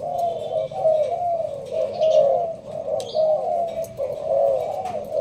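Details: Caged Malaysian-type spotted dove in Binh Duong, Vietnam, sheltered in a leaf blind, delivering sparse thúc gù cooing: soft, throaty, rolling coos about once a second, with a brief high chirp and light clicks in the background.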